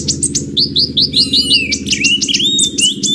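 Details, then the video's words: Kolibri ninja, the purple-throated sunbird, in tutoring material: a fast string of sharp high tweets, then a run of short upslurred whistles and a long thin sliding note, with a constant low droning background. "MATERI KACER X KONIN (Kolibri Ninja) masteran ampuh untuk Kacer meningkatkan emosi"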